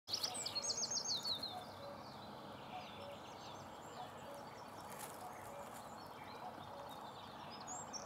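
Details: European pied flycatcher in Spain on autumn passage (from August–September), down from the mountains where it bred, giving a quick burst of high, thin, repeated notes, then one brief note, over rushing background noise.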